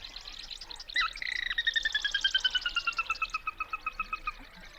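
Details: A territorial Sora in a wetland giving its whinny, often set off by loud noises such as a slammed car door: a high opening squeal, then a long run of rapid clear notes slowing and falling in pitch, about three per second.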